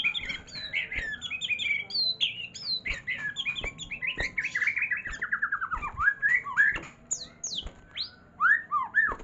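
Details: White-rumped shama in a long varied song: rapid series of clear whistled notes, falling slurs and rising sweeps, with quick trills in the middle and bright high whistles toward the end.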